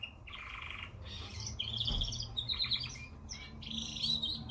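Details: Canary singing rapid buzzy trills and rolling phrases, some bright and clear, against heavy background hiss and low hum.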